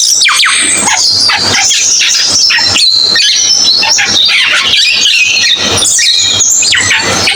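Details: Cucak keling song, a dense wash of high squeaky notes and sharp sweeps, continuous and loud throughout.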